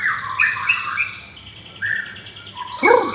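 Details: Caged white-rumped shama, pastel blorok form, singing against a rival; soft slurred whistles and warbles with a closing harsh downward note.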